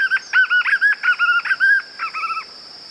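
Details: White-eared puffbird song: a fast series of short, mid-pitched, slightly nasal notes in quick bursts, softening toward the end, over a steady high whine in the background.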